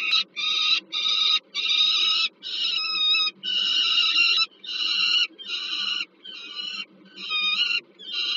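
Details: Peregrine falcons at a nest at the Żerań thermal power plant in Warsaw, Poland, on 15 August 2022, as an adult brings food to a young bird. Loud, harsh, harmonic wailing calls repeat in drawn-out bursts of about half a second, separated by short pauses.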